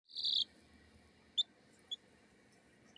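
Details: A Kikiriki micro chicken making happy sounds gives one sweet, high trilled peep, then three brief chirps spaced about half a second apart, over a faint background hum.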